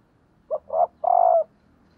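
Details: A single cooing phrase from a female spotted dove kept as a lure to stir up males: a quick low note, a fuller rising coo, then a long even coo, with faint low background hum.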